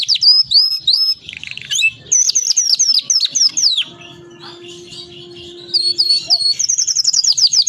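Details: Canary singing a long rolling master song for tutoring other canaries; quick high trills and falling whistled notes, a pause with a steady low tone, then a fast, evenly spaced trill resumes.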